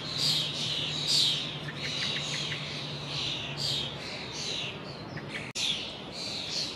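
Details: Flock of young common starlings gathered in a horse chestnut tree at the Lido: overlapping scratchy chirps and squeals form a constant chatter, with a low steady hum underneath for the first four seconds and one sharp click near the end.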